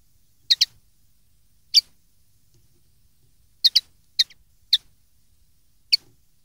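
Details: Common linnet, from a 2013 recording made for young linnets to copy when learning song: short, sharp high chirps, single or in quick pairs, scattered at irregular intervals over a silent background.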